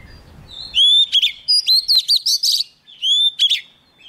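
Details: Vigorous singing by a young Oriental magpie-robin when a wild bird comes close: a whistled opening and a fast chain of loud chirps, a pause, then a second shorter whistled phrase.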